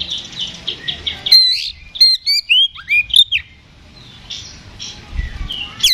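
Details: Fighting Oriental magpie-robin singing in ngeplong style to stir a response: soft repeated notes, then a burst of loud, twisting whistles and slurs, fading into quieter chirping with a sharp final note.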